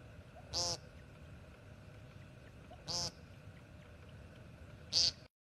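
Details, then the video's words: An American woodcock in North America gives three short, nasal, buzzy peents, spaced about two seconds apart, over a faint steady background hum. "American Woodcock"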